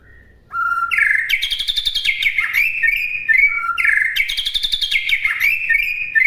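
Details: Master song of a white-rumped shama for birds to learn: after a brief pause, two similar phrases of steady whistled notes overlaid with crisp high chattering, each lasting about three seconds.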